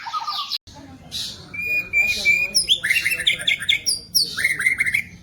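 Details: White-rumped shama kept in captivity, its song used for training other birds: a brief break, then buzzy notes, sustained whistles, and quick chattering phrases mixed with sharp high notes.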